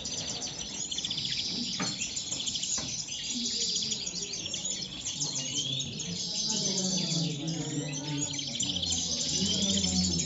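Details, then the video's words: Several European goldfinches at a 'corona' gathering in El Prat de Llobregat, singing in the 'moderna' style: dense, overlapping high twittering and tinkling chirps throughout, with faint voices and a low background hum. "corona de caderneras (jilgueros en la moderna El prat de llobregat)"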